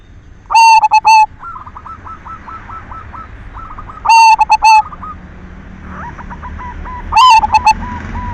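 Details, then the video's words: Lure song of a silver zebra dove, meant to stir other doves into singing: three strong, resonant cooing bursts of four or five staccato notes, roughly every three seconds, over faint repeated coos from other doves. "Perkutut silver gacor SUARA PANCINGAN cocok buat merangsang BIRAHI BUNYI"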